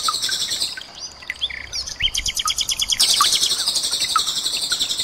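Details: Common nightingale song, with water trickling and cililin bursts added, intended for training songbirds such as white-rumped shama. Twittering notes give way to an accelerating series of loud repeated chirps and then a dense high trill.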